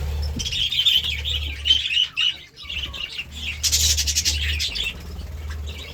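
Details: Budgerigars chirping in the morning, a continuous busy chatter of rapid high twitters and warbles, briefly breaking off midway before resuming, with a low hum underneath.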